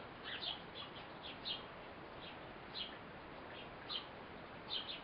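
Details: Female Eurasian blue tit feeding her young fledgling: quick bursts of high, sharp chirps, often in close pairs or triplets, repeated irregularly against a faint, even background hiss.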